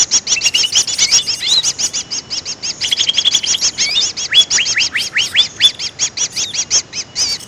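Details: A dense, rapid chatter of high chirps fills this greater green leafbird lure call, broken by short runs of steep upslurred whistles and a few wavering slurred notes.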